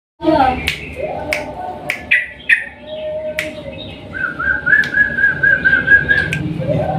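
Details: Sooty-headed bulbul singing actively in the long rapid 'ropel panjang' style, used as a lure to prompt silent bulbuls to sing: sharp clicks and steady low tones, then a fast, even trill over the final seconds.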